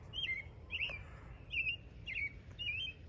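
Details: American robin at a campground in Palisade State Park, Utah, chirping all day long: five short, bright, slurred high notes, each dropping in pitch, roughly every half second, over low background rumble.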